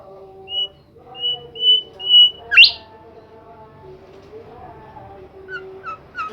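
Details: Bimoli bird singing hard: four level, high whistles repeated at roughly half-second intervals, then a steep rising squeak, followed by quieter short chirps after a gap, over a constant low hum.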